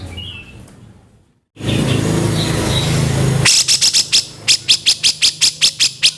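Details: Rough, fast kasaran vocals of a grey-cheeked bulbul (cucak jenggot), meant as training material for songbirds. A faint high note and then steady low noise come first, followed by a string of about twelve harsh, raspy notes.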